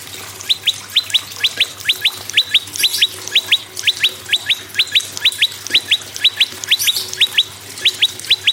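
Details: Prinia, named as prenjak lumut and red-headed prenjak, used as a singing prompt: a long, energetic series of doubled and tripled sharp rising chirps, closely spaced and sustained, with faint hissing noise bursts.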